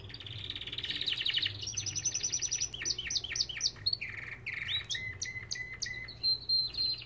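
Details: Aviary-kept Belgian canaries giving a fast rolling trill that breaks into rising chirps and then level whistled notes, repeated several times a second, over a faint low hum.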